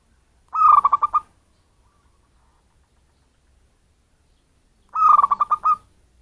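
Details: Wild-origin local zebra dove used as a decoy to attract other birds, giving two bursts of rapid, pulsing coos about four seconds apart, each a bubbling run of roughly seven notes, with silence between.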